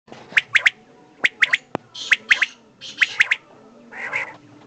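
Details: Male and female common quail (desi batair) calling: sharp, clipped three-note phrases repeated about once a second, with a softer buzzy note near the end.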